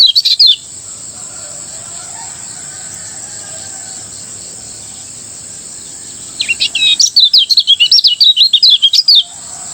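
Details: Morning ngejos song of a Lemon-bellied white-eye from Lombok, used as training song. A short high chirp opens, then several seconds of quiet hiss before a fast, busy string of sharp, twittering notes.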